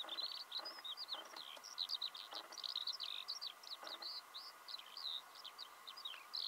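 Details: Eurasian skylark song in early spring, Belarus, March 2016: an unbroken, fast-flowing run of high, chirruping, trilled and warbled notes, steady and bubbling throughout, with faint low hum behind.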